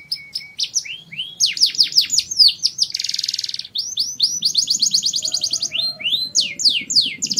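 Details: Canary singing, song meant to stimulate mating: quick chirps building into fast downward-sweeping notes, a harsh buzzy rattle, then long bright trills of rapidly repeated rising notes.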